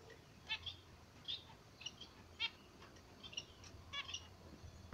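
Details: Two zebra finches in the morning sunshine give evenly spaced short nasal beeps, each a brief, bright, ringing note, over a soft low hum.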